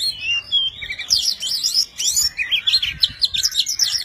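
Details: A tame Oriental magpie-robin sings a many-voiced song as it spreads its wings and tail. A clear whistled opening gives way to fast rising and falling warbled trills and bright chirps.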